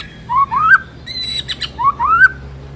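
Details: White-rumped shama song used as a lure for training, two rising slurred whistles each ending in a higher flourish, separated by a brief sharp metallic note.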